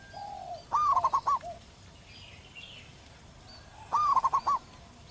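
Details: Wild local zebra dove singing loudly with a big, long voice, a song used for training other birds: two phrases about three seconds apart, each a rising coo followed by a rapid run of four or five bubbling notes. Faint lower coo and distant high chirps.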